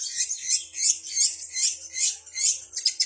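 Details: Long-tailed shrike (cendet) with mimicked song material of other birds: rapid high, buzzy chattering notes pulsing about two to three times per second, ending in a quick scratchy flourish.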